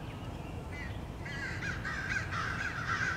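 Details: A crowd of American crows chases a male bald eagle back to its nest, 30 March 2016, as he tries to hide and fend them off; overlapping grating caws build into a ragged chorus with background rumble.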